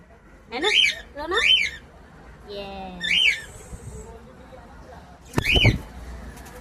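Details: Pet cockatiel singing indoors: clear whistled notes rising then falling, repeated about every second, with a brief buzzy squeak between them and a knock or tap near the end.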